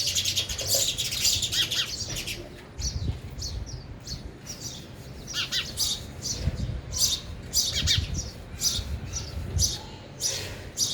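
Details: Sparrows at a feeder, eating and flying about, with bursts of sharp, high chirps and squawky notes between 0.5 and 3 seconds and again from 5 to 11 seconds, over steady low rumbling background noise.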